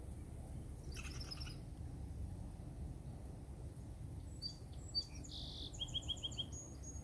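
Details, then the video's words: A Downy Woodpecker in an oak at La Barriere Park on 24 July 2021 gives a brief high call, then a quick run of sharp, evenly spaced notes near the end, over a steady low rumble. "Downy Woodpecker"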